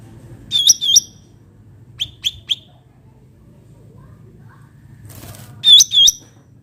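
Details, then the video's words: Bulbul, known locally as cucak ranting, in a natural-sound recording meant as a lure or tutor song: paired sharp whistled notes near the top, three short chips mid-clip, then another paired burst after a brief noisy rustle. "cucak ranting suara alam"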